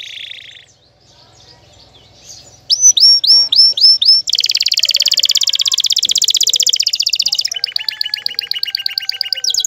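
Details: Canary (Serinus canaria), excited male calling a female to mate: a fast, varied courtship song of sharp whistled notes, then long rapid trills and rattles, very high-pitched and run together.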